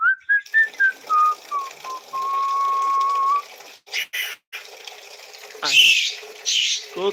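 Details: Pet talking parrot kept indoors, mimicking: a clear whistled series of short notes stepping downward, then a long level whistle, followed by a few harsh bursts and a voice.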